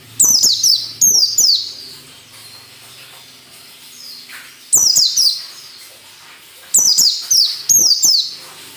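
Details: High, bright white-eye song in the ngalas nembak style for training captive birds, delivered in tight bursts of rapidly falling whistled notes separated by short pauses.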